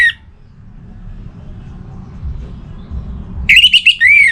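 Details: Orange-headed thrush singing while aroused for breeding, calling a rival: a brief high note at the start, a long quiet stretch with faint traffic-like rumble, then a loud burst of warbled, whistled notes.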